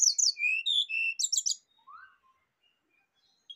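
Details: Rufous-chested flycatcher singing a dense, loud jumble of very high whistled and twittering notes for about a second and a half, used as lure and therapy to bring out a kept bird's song, then a lower rising note and near silence.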